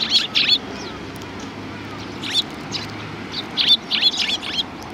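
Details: Sparrows at a Tenmangu shrine on 7 January 2019 greeting visitors, giving short bright chirps singly and in quick clusters, over a low steady background hum of distant traffic.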